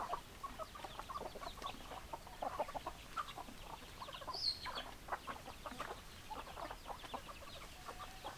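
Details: Chickens clucking in uneven bursts of short notes, a brief thin high squeak around the middle, over a soft constant background hiss.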